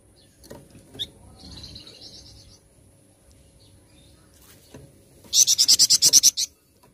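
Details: Flamboyan bird singing loudly (gacor): a faint high trill early on, then a loud burst of about ten fast, sharp, high-pitched notes near the end over a quiet background.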